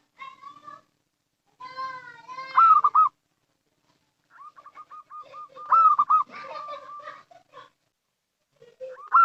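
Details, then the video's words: Local zebra dove lure call: loud rolling trilled phrases about every three seconds, separated by runs of short, even coos, with some harsher extra bird notes between. "Suara Panggilan PERKUTUT LOKAL , Paling Cocok Untuk Pancingan"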